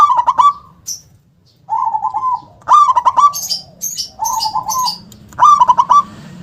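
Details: Local zebra dove with a loud, forceful 'kung' song. Pulsed coo phrases and softer drawn-out coos repeat almost without pause, roughly every one to two seconds. High thin chirps from other birds sound over the middle phrases.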